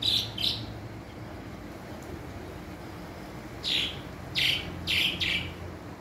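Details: Swallows at Coveñas in the department of Sucre, calling on a Tuesday: two bright, high chirps open, then a quiet gap, then four more short, sharp twittering bursts in quick succession over a steady low hum.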